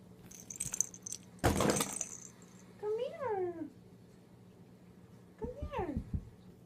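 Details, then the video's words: A male Moluccan Cockatoo playing inside a crockpot box gives two speech-like, wavering calls that rise then slide down, about two seconds apart. A sharp rattle or clunk comes just before. "The bird in this box is trying to tell me something!"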